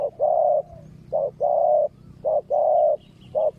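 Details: Spotted dove of Malaysian stock used as a ground decoy for wild doves, repeating short-long coo pairs rhythmically about once a second, loud and clear over a quiet background.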